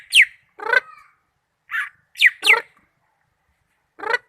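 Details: Greater green leafbird from Malinau alternating sharp falling whistles with harsher, nasal, harmonic squawk-like notes, spaced out with gaps of silence.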